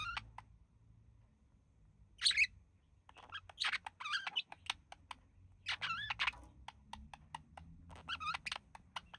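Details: A pair of relaxing pet budgerigars, the male mimicking human speech: scattered dry clicks and ticks around short wavering warbled notes that bend up and down, with quiet gaps between bursts in a small indoor space.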